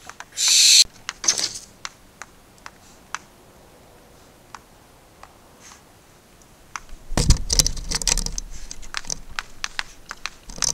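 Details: Four barn owl chicks on 2 September 2019 (owner wonders whether a parent is on the camera): one loud, rasping hiss near the start, then scattered clicks, scratching and rustling.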